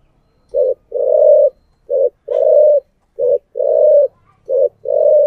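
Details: Spotted dove decoy call in thổ voice style: a steady, repeated two-part phrase, a short low coo and then a longer hoarse coo, sounded four times about every 1.3 seconds.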